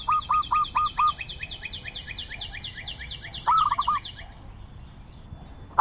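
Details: Zebra dove with a quick series of five clipped coos, then a bubbling staccato phrase. A long run of high, descending piping notes from another bird is heard behind it.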